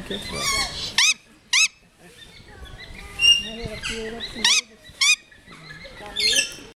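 A young Great Grey Owl gives harsh, hissing screeches, short rasping bursts about once a second with a few longer ones, over faint background chatter.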